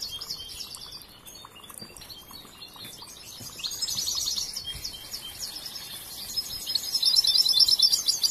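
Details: European goldfinch, a young bird still learning its song, gives softer scattered high twitters that build into a bright rapid trilled run at the end.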